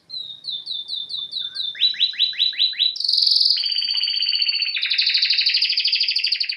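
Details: Canary (Serinus canaria) song meant for training birds: a run of quick rising whistled notes, then falling sweeping notes, then dense buzzy rolling trills at two pitches, loud and continuous.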